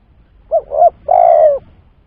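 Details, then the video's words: Spotted dove coo played as a trapping lure. One phrase: two brief, mellow coos in quick succession, then a longer, smooth coo that falls gently. There is little else behind it. "Pancingan Suara Tekukur"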